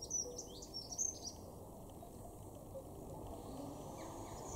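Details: Dunnock in a garden in Weener, East Frisia, northwest Germany, March 2023, gives a brief, quick, high-pitched warbling phrase over a steady rushing background noise, with a few faint distant chirps afterwards.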